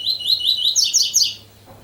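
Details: Rusty-collared seedeater singing the tui-tui style song: a quick run of repeated slurred notes that climb into a brighter, higher-pitched burst of three chips before fading.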